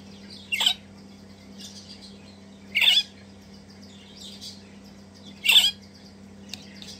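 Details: Two hand-fed Crimson Rosella chicks, messy and enthusiastic eaters: three loud, harsh, rasping squawks, each short and spaced about two to three seconds apart, with soft chatter between and a low steady hum behind.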